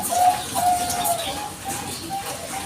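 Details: Bangkok-type zebra dove used as a lure to trigger answers from other doves; a few quick cooing notes, slightly falling, then softer trailing notes in a roomy background.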